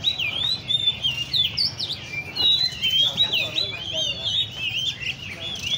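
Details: Oriental magpie-robins kept in cages at a bird cafe in Le Thi Rieng park sing rich, fast whistled warbles with sweeping rising and falling notes, overlapping voices throughout, with faint human speech and a steady low hum.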